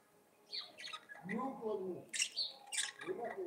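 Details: Budgerigars singing together: low curving warbled notes mixed with sharp scratchy chirps and squawks, in a small room.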